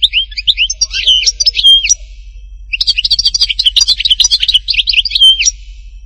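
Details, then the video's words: European goldfinch, Htatba song from Tipaza, in two dense bursts of fast twittering and tinkling notes mixed with short level whistles, separated by a pause of about one second. "chant chardonneret htatba tipaza حسون حطاطبة"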